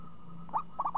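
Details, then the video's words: Zebra dove, a champion bird with a crisp, swinging voice: a rising coo followed by a quick run of rolling notes, partly masked by a steady electrical whine and low hum. "Perkutut Juara Suara renyah ngayun"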